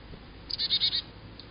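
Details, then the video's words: A chickadee gives a half-second burst of about four quick, buzzy, high notes in a run, then falls quiet, over a faint low background hum. "What does a chickadee sound like?"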